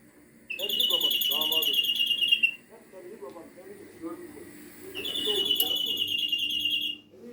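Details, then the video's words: Greenfinch song of two long, loud, nasal buzzing wheezes, each held about two seconds at an even pitch. Quieter talking fills the gap between them. "Flurya Kuşu Ötümü"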